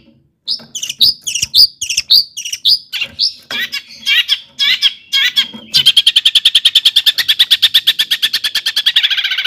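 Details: Long-tailed shrike in full song, played as a lure to rouse other shrikes, packed with mimicked phrases: a run of varied high chirps and slurred notes, then a fast, even buzzy trill of rapidly repeated notes to the end, over a faint low hum.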